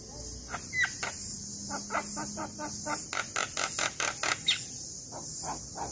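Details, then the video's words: Black-winged myna chattering song meant as tutor material for lazy young mynas: a rapid series of harsh, clicking, raspy notes, growing louder and tighter midway, with a faint whistle early on and steady high hiss behind. "Jalak Kebo Gacor Masteran Pas Buat Jalak Muda Malas Bunyi"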